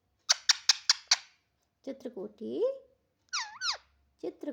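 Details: Talkative pet parrot giving five sharp evenly spaced clicks, then low chattering voice-like syllables and two rising-falling squawky notes.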